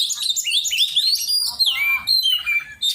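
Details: Kept Oriental magpie-robin in a song-training session, delivering fast, jumbled chirps and sweeping whistles that slide up and down, with quick twittering notes packed closely together.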